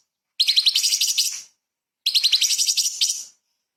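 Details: Energetic light-vented bulbul singing 'tembakan' shots with small-bird fill, meant for tutoring magpie-robins: two rapid, high chattering trills, each about a second long, with a pause between them.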